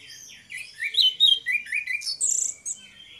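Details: Orange-headed thrush duo in ngeplong style, used as a lure to prompt singing. Dense high warbling runs rise and fall in quick slurred whistles, with a brighter, higher-pitched flourish near the end.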